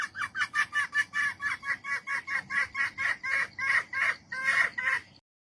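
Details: A female jungle fowl calls for a mate with around eighteen clipped, raspy clucks in steady rhythm, gaining strength in the last seconds, then falling silent.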